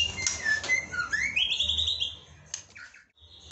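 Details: White-rumped shama singing, recorded for training other birds: clear whistled phrases with sweeping notes and a fast trilled run, then short fragments before quiet.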